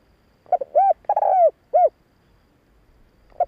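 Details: Spotted dove phrase meant to lure and excite males, several short rounded coos framing one longer falling coo, followed by quiet and the start of another phrase.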